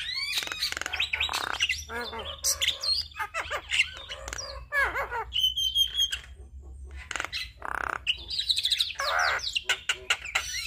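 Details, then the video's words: Javan myna singing a packed, varied master song meant to train and draw out other starlings: rapid chattering, buzzy and scratchy notes, and brief whistles in quick succession, over a constant low hum. "Jalak Kebo Gacor Full Isian Masteran Dan Pancingan Semua Jenis Burung Jalak"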